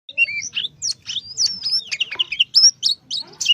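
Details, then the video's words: Young, tame Oriental magpie-robin singing persistently: a dense run of clear whistled notes, sharp chirps and rapid buzzy trills, varied and high-pitched, bursts spaced by brief gaps, with a faint low hum beneath. "kacer muda jinak gacor"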